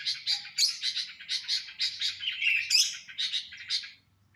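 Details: A swaying sooty-headed bulbul sings a rapid series of sharp chirping notes in clustered bursts, with one higher slurred whistle midway, ending abruptly in silence.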